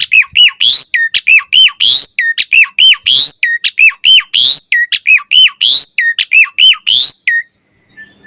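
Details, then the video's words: Asian pied starling morning song used to lure starlings into singing: a fast steady series of loud U-shaped whistles with harsh overtones, continuing for about seven seconds before stopping. "Suara Jalak Suren Gacor Ampuh & Efektif Pagi Hari Buat Pancingan Burung Jalak Agar Gacor Full Isian"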